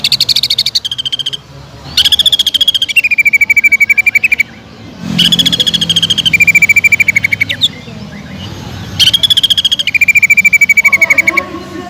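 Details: Cucak ijo, the greater green leafbird, in a loud fast "tembakan" song used to lure other birds: bursts of rapid clicking notes around two to four kilohertz, each falling to a lower steady trill, repeated in phrases about three seconds apart.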